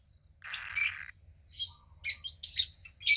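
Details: Female cockatiel chick, roughly 15 days old, hatched to a pied cockatiel pair and kept in captivity; a breathy rasping note followed by several short, scratchy, high squawks that end loudest.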